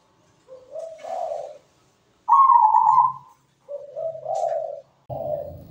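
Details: Zebra dove (perkutut) singing continuously as a lure for other doves: low rolling cooing notes around one loud level coo, repeated, ending with a brief low rumble.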